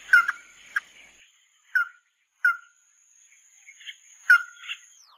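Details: Chim mắt đỏ giving sparse, sharp downslurred whistles and short chips separated by pauses of about a second. Some softer warbled notes come near the end. A faint steady high tone fades out at the close.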